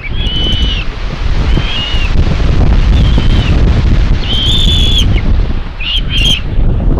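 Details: At a nest in Tiszalök, Hungary, filmed by a live camera on 27 May 2022, common buzzards give a string of about six thin, level mewing whistles, some short and some long, half-buried under loud, steady wind roar.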